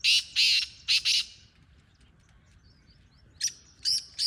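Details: Loud black francolin call opens with four harsh, buzzy notes in two pairs, then a pause with faint birdsong before another rasping phrase begins.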